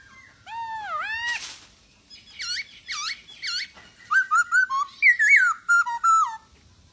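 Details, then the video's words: Masked laughingthrush, a caged bird, giving loud swooping whistles that dip and rise, followed by a series of clear falling notes and a quick run of varied whistled phrases. "POKSAY HONGKONG Anda Malas Bunyi,Pancing Dengan POKSAY HONGKONG Gacor ini 75% Pasti Nyaut"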